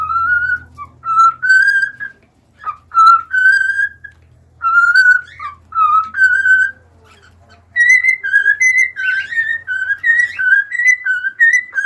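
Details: Cockatiels singing a tune of pure whistles, short phrases repeated with small pitch steps, a pause, then a faster, higher run of whistled notes toward the end.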